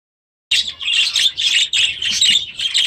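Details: After a half-second of silence, a flock of young budgerigars newly released into an aviary bursts into busy high-pitched warbled chatter, with bursts of chirps and scratchy squawks running in overlapping phrases.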